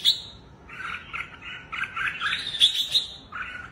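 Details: Red-whiskered bulbul in a wing-spreading display on its perch, giving a run of quick, bubbling warbled notes that rise into a brighter, higher stretch, then drop back to a lower phrase.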